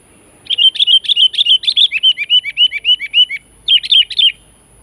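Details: Sooty-headed bulbul giving a lively call meant to challenge and pressure a rival: fast series of bright, bubbly chirped notes, about three per second, first level then falling in pitch, a short pause, then a brief renewed burst.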